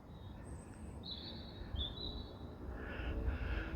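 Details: A European robin sings in pitch darkness at about 9:53 pm on 15 April 2025, giving a few thin, high whistled phrases, some level and some sliding, over a steady low rumble; the recordist thought it a blackbird.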